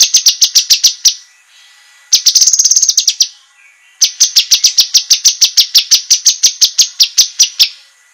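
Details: Cucak kinoi master song meant for training competition birds: three runs of rapid, piercing high notes, the middle one a fast trill, the last a long steady series of sharp chips.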